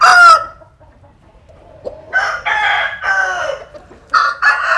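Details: Rooster crowing in the sun in the countryside of southern Vietnam. A loud crow ends sharply, a short quiet pause follows, then a hoarse multi-syllable crow and a further crow starting near the end.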